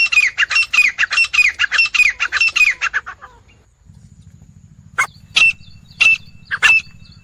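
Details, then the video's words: Grey francolin giving loud, harsh, ringing calls in a rapid series of about ten notes, then a few spaced repeats over a low steady hum. "Wild Teetar Calling Sound HD | 4 Jangli Teetar Ki Aawaz | Grey Francolin Sound Effect"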